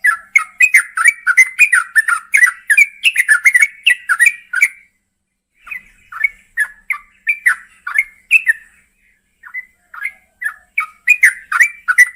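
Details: At night, a female yellow-vented bulbul is said to call the male with a long, lively stream of bubbly, chattering notes. Brief pauses break the stream into bursts of several syllables.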